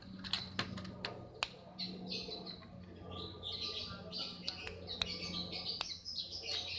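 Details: Long-tailed shrike in breeding condition, singing vigorously: dense bursts of high, scratchy chirps and sharp clicks, busiest in the second half, over a steady low hum.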